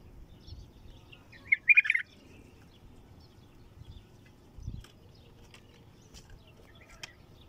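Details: Bulbul song in the 'طور' style: one loud, quick warbled phrase of tumbling chirpy notes, followed by several seconds of faint scattered clicks and low background hum.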